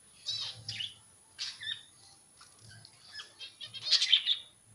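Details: Scattered budgie calls from a colony: short high chirps and scratchy warbles come in separate bursts about every second, growing louder and denser toward the end, over a quiet low hum.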